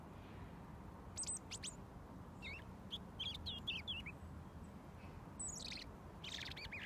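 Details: Robin singing close to its feeder before mealworms are given; scattered thin, high notes and short twisting trills with gaps between them, set against a steady low hum.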